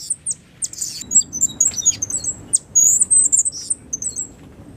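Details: Caged five-month-old young Cuban grassquit, a breeder's 2022 chick, singing its loud, clear silva australiano style song with a trill learned from a tutor: rapid, very high, thin chirps and twitters in quick bursts, faint room hum beneath.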